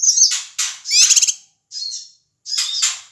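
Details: Ashy tailorbird giving noisy calls played to provoke other birds: harsh, buzzy, high-pitched squawks in short bursts with brief gaps between phrases.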